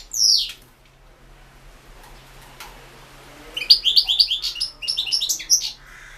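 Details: European goldfinch recorded as a 2016 World Championship in Goldfinch Song entry. One sharp, high descending note opens the clip, and after a long quiet spell a lively string of twittering, tinkling notes follows.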